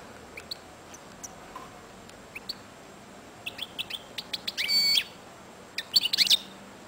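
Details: Royal-type European goldfinch, a singing breeding male, gives scattered high chirps and then bursts of twittering and buzzy, rapidly repeated notes, with two louder dense phrases near the end over a faint steady hiss.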